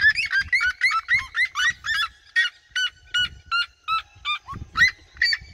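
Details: Red-legged seriemas in a flock in open fields, singing near the observer: quick burst of yelps that slows into spaced, single loud notes, light low rumble.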